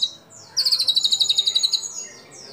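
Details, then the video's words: White-rumped shama in steady song enriched with imitations of sooty-headed bulbul, cililin, lovebird and canary, a training recording for other shamas: after a brief high note, a fast, even, very high trill rattles for over a second. "Murai Batu Gacor Isian Kapas Tembak Sambung Cililin Lovebird Kenari Dll"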